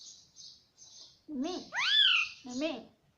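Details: Pet ringneck parrot talking indoors: a few faint high hissy notes, then loud, harmonic, rising-falling word-like calls, with a lower voice-like syllable near the start and the end.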